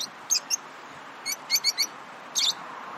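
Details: Excited lovebirds giving sharp, high, clipped chirps, singly and in quick groups of two or three with short pauses between. The chirps sound while playing, eating or excited. A steady background hiss runs underneath.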